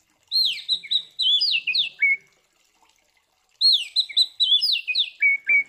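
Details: Oriental magpie-robin giving fighting song to provoke other magpie-robins: two phrases of quick whistled swoops, each closing with lower slurred notes, separated by a short quiet gap.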